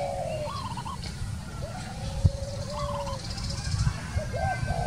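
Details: A wild Spotted Dove coos repeatedly. Soft, low, rolling phrases with trilled endings are separated by short gaps, a sharp click falls midway, and persistent low outdoor noise runs throughout.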